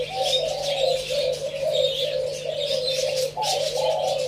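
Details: Spotted doves heard on a recording dated 27/3/2569 give continuous, wavering low coos in overlapping phrases, with faint higher twittering and a constant low hum behind them.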